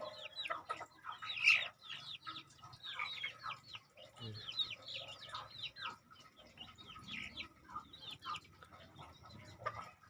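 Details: Young crossbred junglefowl kept as decoy birds, about two months old, chirp in scattered high, sharply falling notes, now thick, now sparse, over ten seconds.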